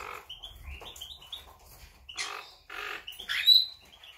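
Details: Monk parakeet chatter from 8 September 2020: a string of short, grating, upward-sliding squeaks, then louder harsh screeches toward the end.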